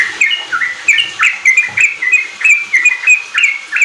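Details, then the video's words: Sooty-headed bulbul riwik song meant to spur newly kept bulbuls to sing; sharp, clear whistled chips in a rapid, fairly even string of about three per second, after a brief uneven start. "Pancingan trucuk ampuh bikin trucukan bahan cepat riwik ropel gacor"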